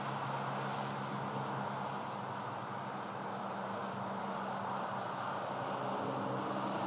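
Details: A constant engine-like drone with a steady low hum continues throughout, and no animal can be heard.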